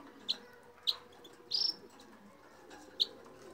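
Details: Red crossbill, Loxia curvirostra: four sharp, high isolated chip notes spaced irregularly over a few seconds, the third a slightly longer twittered burst, over a low steady background hum.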